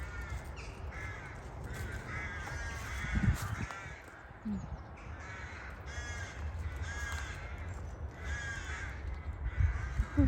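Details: Harsh, nasal caws of house crows flying in to their nests in numbers, come in repeated bursts every second or two over a steady low rumble of wind and handling noise.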